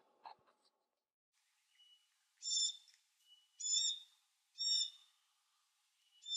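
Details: Glossy black cockatoo fledgling being fed: after a faint low sound, loud wheezy, grating high calls come in regular pulses roughly once a second, with thin whistled tones between them.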